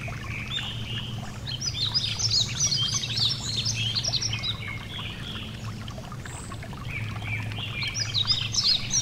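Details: Yellow-throated bunting (Emberiza elegans) singing beside a gentle stream: high, thin twittering phrases of quick chirps and short trills, repeated in bursts over a steady low rush of flowing water.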